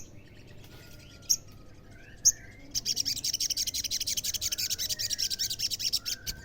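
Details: Olive-backed sunbird, with song meant to provoke other sunbirds into answering. Two faint high chirps lead into a long, rapid, buzzing stream of high notes pulsing several times a second.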